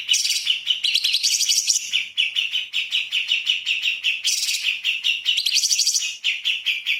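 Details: Light-vented bulbul song used as a magpie-robin training recording: steady rapid chattering, with repeated lower whistled notes running beneath, and higher buzzy trills rising twice.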